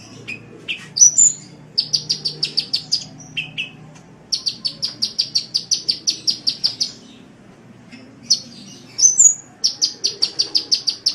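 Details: Sunbird song used as a masteran for songbird keepers: long runs of evenly spaced, high chip notes, about six per second, broken by a few lower notes and sharp, higher whistled flourishes.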